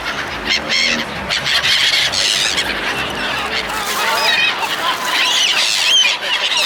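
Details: A crowd of seagulls at feeding time, harsh honking squawks layered with higher wavering cries from many birds at once.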